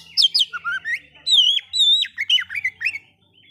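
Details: Oriental magpie-robin singing to provoke other magpie-robins: quick high chips open into sweet, drawn-out wavering whistles, then a tumbling series of short rising and falling notes that ends in quiet.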